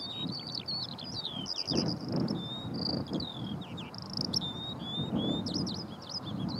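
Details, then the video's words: Skylark in flight singing on Brandon Heath, an unbroken run of high chirps, trills and buzzy warbling phrases, with low wind-like rumble throughout. "Skylark in flight & singing beautifully on Brandon Heath"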